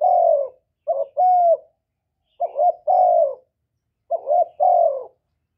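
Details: Spotted dove cooing and calling to excite and lure other doves, recorded live with no background noise: low hollow phrases repeat three times, each a brief note, a rising double coo and a long drawn coo.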